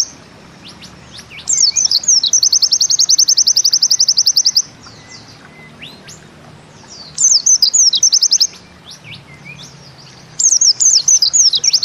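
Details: White-eye of the Bustomi type giving its rapid 'ziperrr' zipper-like song, an easily copied style: high, fast buzzy note series delivered in three bursts of roughly one to three seconds, separated by quieter gaps with short sliding whistles.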